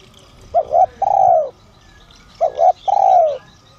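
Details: Spotted dove of the son voice style calling to attract wild doves. Two three-note phrases: a quick pair of soft coos, then a long mellow coo that drops in pitch. Soft chirping from other birds is faintly audible.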